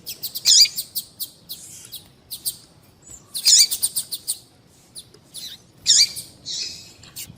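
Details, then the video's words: Female double-collared seedeater calling persistently, a recording meant to excite males for song tournaments; clustered bursts of quick, high twittering chirps recurring about every two to three seconds, with softer single notes between. "Fêmea de Papa capim Chamando Levanta até Defunto"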